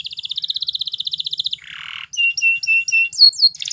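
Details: Belgian canary training song: an even, rapid high trill lasting over a second, a short buzzy burst, then separate clear whistled notes that rise and fall, about four per second.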